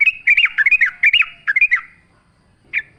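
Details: Yellow-vented bulbul song with natural ambience: quick bubbly phrases of warbled, up-and-down chirping notes in a burst, followed by a pause and one final short chirp.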